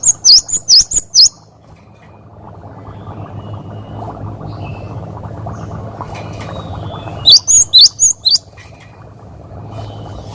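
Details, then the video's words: Cinereous tit singing to train other caged birds: two phrases of four or five piercing, high, slurred 'wucit' notes, separated by about six seconds of quiet with low hum and faint distant chirps. "Masteran Burung Gelatik Gacor Wucit Wucit"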